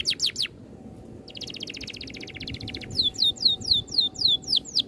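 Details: Rolling masteran song of an oriental magpie-robin: a few steep falling whistles, a short pause, a long buzzy rattle of rapid pulses, then a series of clear downslurred whistles about three per second.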